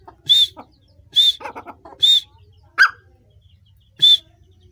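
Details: {'caption': 'Grey francolin giving sharp, high, arched whistled notes at irregular intervals of about a second, mixed with softer low clucking and a rasping note between them.'}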